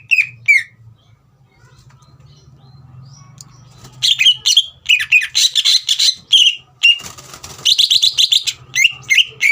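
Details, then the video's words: Caged green leafbird in full song, played to provoke a young speckled bird into singing: short quiet start, then from four seconds a dense run of loud, rapid whistled and chattering notes, some sweeping downward, with a low hum beneath. "CUCAK IJO GACOR INI SPONTAN MEMANCING EMOSI CUCAK IJO BAHAN TROTOL AGAR GACOR"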